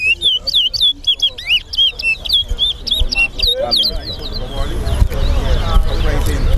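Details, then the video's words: Towa towa singing at a bird competition on Sheriff Street bird ground, Guyana: rapid looping whistled notes sliding up and down, repeated several times a second for about four seconds, then fading under crowd noise and voices. "TOWA TOWA BIRD COMPETITION"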